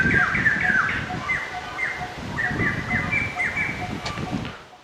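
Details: White-crested laughingthrush at Dong Tam snake farm, Tien Giang, Vietnam, gives loud, ringing chattering notes, rising and falling, three or four each second, over a low rumbling background.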